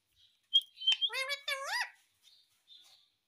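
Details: Pet parrot saying "mummy" indoors: a sharp high whistle leads into a rich, speech-like phrase of two rising, harmonic syllables, followed by a few faint soft chirps.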